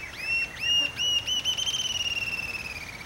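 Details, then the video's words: Rufous-tailed jacamar (Galbula ruficauda) from Brazil singing: a few high, thin whistles that run into a fast, level trill of sharp notes, slowly fading. "Canto Ariramba-de-cauda-ruiva"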